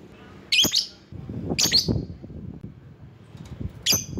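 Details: Rival-calling lovebird recording with three loud, shrill screechy chirps spread across a few seconds, and a muffled low rumble filling the gaps.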